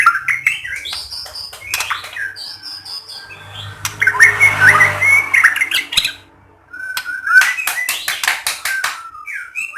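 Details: Song of a white-rumped shama meant to trigger singing in other shamas: scattered whistles and sharp clicks, a loud warbled phrase midway, a brief pause, then more clicks and whistles over a low hum.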